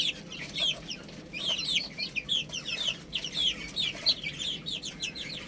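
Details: Many chicks at a rice meal call in a continuous stream of bright, sliding peeps, roughly a few each second, against faint low background noise.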